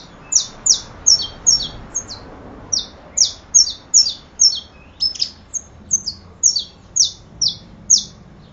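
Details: Saffron finch in steady song: a clear, rhythmic chain of about twenty loud, high, falling chip notes, evenly spaced near half a second apart, against a quiet background.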